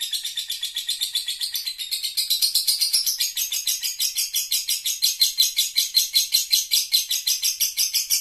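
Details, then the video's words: Lovebird in sustained ngekek, its long-duration chattering song: shrill, rasping notes in a rapid, even train of about eight pulses per second, swelling a little in loudness midway and staying high-pitched, with no background noise. "Lovebird Doraemon kembali ngekek dengan durasinya kembali"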